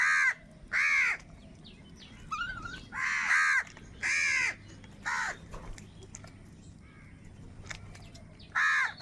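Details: Several loud, harsh crow caws, some doubled and others single, repeat roughly every second over nine seconds. The crows are described as fighting for food, and a low hum runs underneath.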